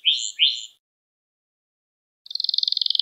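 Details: Canary singing, meant as a teaching model for young canaries: two rich, rising slurred notes, then after silence a fast, even, high trill of repeated notes.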